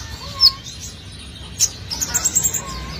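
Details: Brown-throated sunbird in full song, a lure recording: a few isolated piercing chirps, then a quick run of six high twittering notes, with faint whistles and light background noise.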